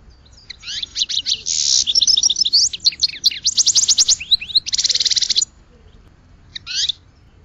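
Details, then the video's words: Goldfinch singing a lively high twittering phrase of quick chirps, fast rattling trills and a harsh buzzy note, then a short pause before one more brief twitter. "Goldfinch Song to Educate Newcomers to Their Call"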